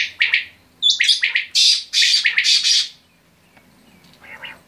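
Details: Quail giving a rapid flurry of raspy, chirping notes over about three seconds, with a fainter rough call near the end.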